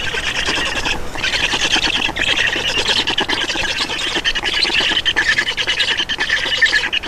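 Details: Black storks at a nest in Estonia during a parent changeover and feeding, 31 May 2019 at 11:48: continuous harsh, raspy squawking with rapid pulsed notes, dense and unbroken for over seven seconds.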